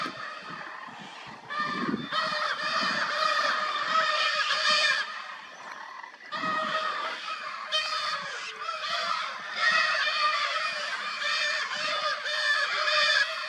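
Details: Wild Lear's macaws, native only to Brazil, calling while courting: long stretches of raucous, grating squawks in uneven bursts, broken by short pauses, over thirteen seconds.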